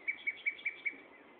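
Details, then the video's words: Common nightingale singing at Gaasperzoom on 16 May 2012, mid-afternoon at 15:30, recorded on a phone: five bright, evenly spaced high notes about five per second, then a soft fade. "Nachtegaal zang"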